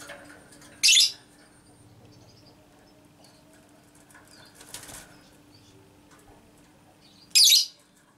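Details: Female lovebird ngekek meant to provoke other lovebirds into singing. Two loud, piercing, harsh bursts sit far apart with a soft rustle between them, and a faint hum runs throughout.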